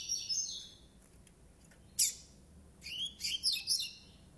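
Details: Rusty-collared seedeater (coleiro pardo), nine months old, gives a high sweeping phrase, a sharp single note, then a cluster of quick bright chirps and buzzy trills.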